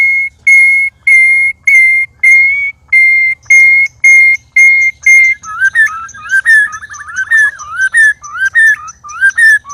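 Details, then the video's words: Loud white-rumped shama session with three birds sparring: a long series of identical flat whistled notes about every half second, then a warbling, wavering whistled phrase with quick inflections. "Murai Keluar Suara Aneh Ketika Di Trex 3 Murai"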